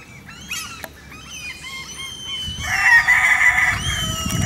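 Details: Vorwerk chickens at Van Blanckendaell Park, Tuitjenhorn, Holland: thin high squeaky notes, then a louder harsh drawn-out crow-like call with a rough rasping tail.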